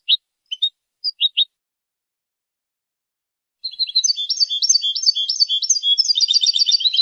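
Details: Goldfinch singing to defend territory and attract a mate: a few sharp, separate call notes, a pause of two seconds, then a rapid, sustained twittering song of bright, high, jangling phrases running to the end.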